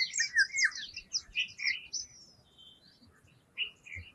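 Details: Eurasian golden oriole giving a burst of mellow whistled notes with quick up-and-down slides, then a softer phrase later, while other birds keep up high, thin chirping throughout.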